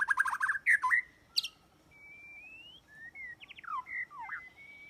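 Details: White-rumped shama trapping lure: quick harsh stuttered notes at the start, a long smooth rising whistle, then short looping and dipping whistled phrases over a light steady hiss.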